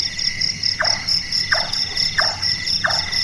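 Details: Large-tailed nightjar, a bird active at night whose call resembles carpentry: four hollow, knocking notes about 0.65 seconds apart, set against a steady high insect drone.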